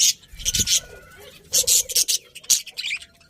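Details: Budgerigars chattering in loud, buzzy squawk bursts separated by short pauses, with softer warbling notes between them and a faint low bump early on.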